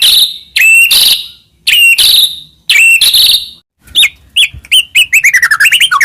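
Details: Medan white-rumped shama singing continuously with many inserted phrases, used as a master recording to stimulate other shamas: loud paired whistled notes separated by pauses, then quick descending and rising chirps run together.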